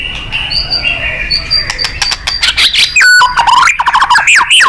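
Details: 'Gacor' White-rumped shama song for contest-bird training: soft thin whistles and scattered ticks at first, then a loud falling whistle leading into rapid, rolling, buzzy phrases.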